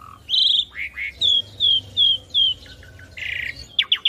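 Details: Master song of the Asian pied starling for teaching young birds: short whistles and upslurs, a series of four even whistled notes, then a harsh buzzy note and sharp rising chirps.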